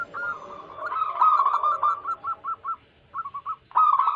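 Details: Wild local zebra doves, recorded as a lure for trapping wild doves, sing rapid series of short, clipped cooing notes. A stuttering run slows into evenly spaced separate coos, and a second burst follows after a brief pause.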